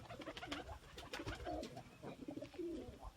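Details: White pigeons, domestic rock doves bred for small size and white coloration: low, soft cooing notes recur through the recording, mixed with clattering, rustling and tapping noises in what sounds like a small enclosed space.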